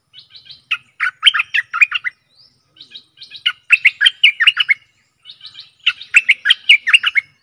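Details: Stripe-throated bulbul singing, recorded as a decoy sound for catching aggressive wild birds, 12 December 2021: three lively, rolling phrases of warbled and chattered notes, each about one to two seconds long, separated by brief gaps.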